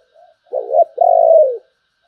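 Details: Spotted dove in 'sấm bầu' cooing style: a faint soft lead note, then a loud two-part phrase with a quavering first note and a long, gently falling second coo.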